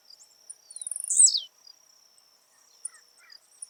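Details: Blue-black grassquit recorded live in nature, giving its jump song: one brief buzzy note that starts very high and slides steeply downward in about half a second, over a steady high insect whine, with faint chips afterwards.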